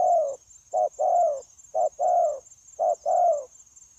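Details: Adult wild-caught spotted dove, a trapping bird, cooing tirelessly on 9/1/2024; three clear pairs, each a quick low note leading into a fuller rolling coo, spaced about a second apart, a faint high hum running throughout.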